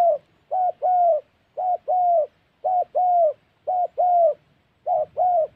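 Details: Trapping of spotted doves in wild Central Highlands forest, Gia Lai, Vietnam: soft hollow coos in pairs, a brief note followed by a drawn-out one, the pair repeating steadily roughly every second with nothing else audible.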